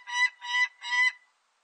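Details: Peregrine falcon from a 2020 Korean national biological resources collection giving three drawn-out, grating, harmonic notes in quick succession, each lasting about a quarter second, then falling silent.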